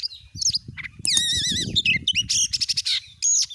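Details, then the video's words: Oriental magpie-robin singing in energetic gacor nembak style, used as a lure to provoke other magpie-robins to sing: loud varied phrases with wavering whistles, then rapid bursts of harsh repeated notes. "Kacer jenis manapun bakalan langsung emosi gacor dengan pancingan burung Kacer gacor nembak ini"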